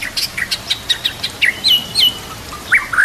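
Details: White-rumped shama singing a varied song over soft natural ambience. Sharp high chips and scattered notes come first, then bright looping whistles and two rising slurred whistles near the end.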